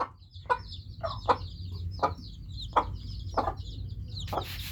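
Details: Newly hatched chicks give a steady stream of high, downward-sliding peeps that overlap one another, while lower, short clucks pulse about once a second beneath them.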